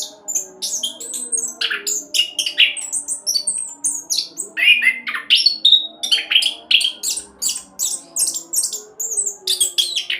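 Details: Orange-headed thrush in continuous speed-roll song for luring other birds into song: a long unbroken stream of high sharp whistles, downward slurs and scratchy buzzes, with a faint low hum underneath.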